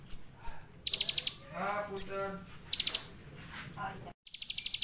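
Olive-backed sunbird giving thin, very high whistles and quick buzzy trills in bursts; a lower, voice-like harmonic sound breaks in midway.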